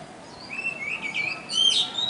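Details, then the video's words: Small, loud bird heard during a river safari, 23 January 2015: a thin, level whistle slides into rising and falling piercing notes that grow louder toward the end. "The very loud tiny bird"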